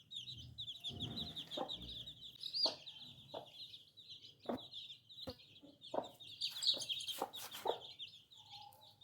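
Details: Tiny chicks keep up a dense, high peeping chorus for several seconds, punctuated by frequent sharp pecking or tapping clicks.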